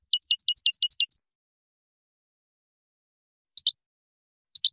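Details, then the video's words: European goldfinch from Morocco singing a Widani-style song in 2019: a fast, ringing series of about ten bright downslurred notes, followed after a pause by two brief sharp double chips. "الحسون المراكشي الأصيلي تركيبة ويدانية"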